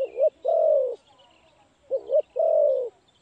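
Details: Spotted dove cooing at a trapping site: a wavering two-part coo followed by a drawn-out level coo, the phrase repeated twice about two seconds apart, with faint high bird notes in the background.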